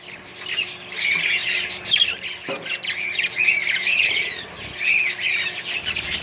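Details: A budgerigar colony mixed with other birds fills the air with rolling chatter, scratchy warbles and clipped squawks, steady from start to end.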